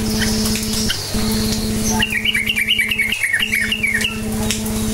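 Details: Active 'cukcuk nguplik' song of a sooty-headed bulbul, a lure meant to set other bulbuls singing; about two seconds of rapid, bubbly, repeated warbled notes follow faint thin whistles, with a droning low hum beneath.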